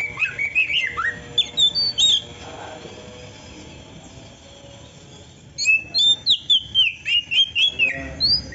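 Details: Magpie-robin singing with a repertoire of canary imitations: jumpy whistled chirps, a lull of several seconds, then a rapid rhythmic series of descending slurred notes.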